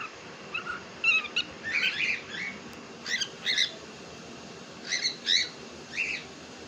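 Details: Caged pet cockatiel described as talking makes scattered clipped chirps and short buzzy warbles in small groups of two or three, high and bright, spread across several seconds over soft background hiss.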